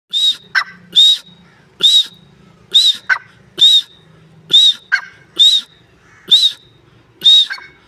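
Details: Partridge calling: a loud, harsh, strained note with a bright arched top, repeated about once a second in a steady series, each note followed by short softer clucks. A faint low hum runs beneath.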